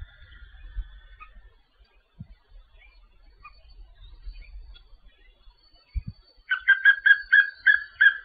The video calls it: Canto do pássaro papinho-amarelo